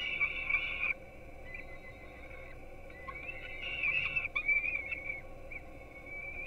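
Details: Peregrine falcon young getting breakfast at a webcam nest in Gdynia, Poland, 4:21 am: one loud squealing burst, then quieter intermittent whines and a cluster of sharp, broken squeals.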